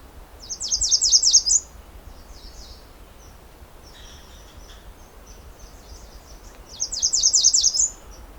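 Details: At Pine Tree Point, Ontario, on a calm, warm, sunny day, a female American redstart sings two bursts of six or seven thin, high, rapid notes ending in a flourish, with fainter high chips and chatter between.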